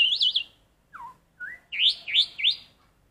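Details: Black-collared starling practising red-whiskered bulbul song: loud, bright, wavering whistles, then two lower slurred notes, then three quick upswept whistled phrases in a row, in a quiet setting.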